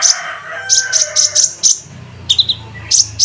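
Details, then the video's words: Olive-backed sunbird song in cucak jenggot style, used as a master song for training cage birds: short, sharp, high chirps in quick bursts, a pause, then more high notes, over a low steady hum. "KONIN MASTERAN ,Rasa Cicak Jenggot"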